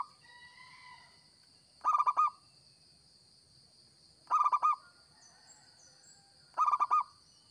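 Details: A local zebra dove sings vigorously in a lure recording, giving three rolling bursts of rapid pulsed coos roughly every two and a half seconds, with faint softer coos and a steady high whine between.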